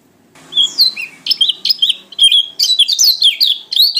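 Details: Energetic ngalas-style singing from a Lombok/NTT pleci white-eye, opening with two thin whistled slurs, then a continuous quick chatter of high, bright, twittering notes.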